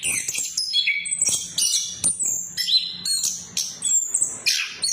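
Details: Short burst of orange-headed thrush lure song used to trigger singing in quiet birds: very high thin whistles and quick downward sweeps, mixed with scratchy chips.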